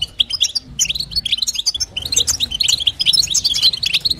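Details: Female European goldfinch calls to stimulate the male, with bursts of high liquid twitters and trills, a short lull near the middle, then a faster, denser chattering run; faint low hum beneath.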